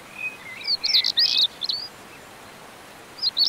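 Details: Common stonechat recorded in the Montes de León, Spain, in May 2019: a short burst of scratchy, high twittering notes, then a pause and a few more chattering notes. A steady hiss of background noise runs throughout.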